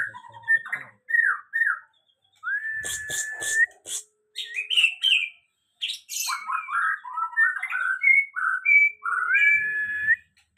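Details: White-rumped shama after moulting, beginning to sing fully again: varied clear whistled phrases, some sustained level notes and short slurred figures, interspersed with brief harsh buzzy bursts and pauses.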